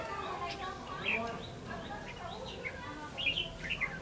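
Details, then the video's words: A red-whiskered bulbul at a fighting-trap setup gives short, bright, warbled phrases at irregular intervals over a steady background hiss, with people talking quietly. "Bẫy đấu chim chào mào hòa chanh"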